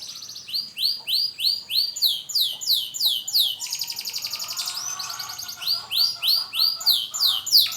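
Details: Canary after its moult, a young bird learning to sing: rapid repeated descending whistled notes and slurred trills, shifting into a buzzy rattling passage midway, then back to quick repeated phrases, roughly three notes per second.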